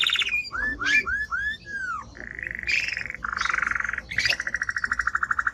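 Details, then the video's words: A strong timbrado canary sings a series of quick falling whistled slurs, then switches to steady buzzy rolls and a fast, even pulsed trill. "Canary singing Strong Bird - ذكر كناري تغريد نار"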